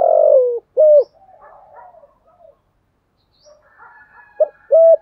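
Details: Thổ sấm style cooing of a spotted dove, used to excite a decoy bird: a harsh, falling coo and a clipped hoot, soft low mutterings in a pause, then two more hollow hoots starting a new phrase.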